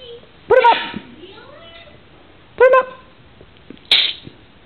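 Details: A pet blue-and-gold macaw mimics speech, saying "put 'em up" in three loud, raspy bursts about two seconds apart, then makes its contact sound, while another bird talks in the background.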